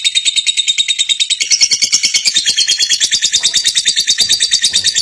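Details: Contest lovebird that won at national level, delivering its long ngekek chatter: a continuous, high, rasping stream of rapid notes repeated about three times a second, sustained without a break through the whole stretch.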